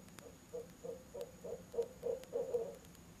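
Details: Low, rhythmic hooting from barred owls visiting their nest box at 7 pm in October, a mate adding its voice: roughly nine hoots in close succession, growing louder and more crowded near the end.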